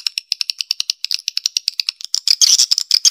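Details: Swiftlets give rapid, dry, high, rattly clicking chirps, about seven or eight a second, building to dense twittering chatter; this is a swiftlet call sound meant to attract birds.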